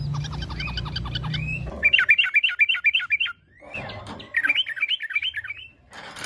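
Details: Lively yellow-vented bulbul song meant to draw other bulbuls into singing, with fast bubbling zigzag phrases and chattering notes in two bursts, separated by a brief pause, over a faint low rumble.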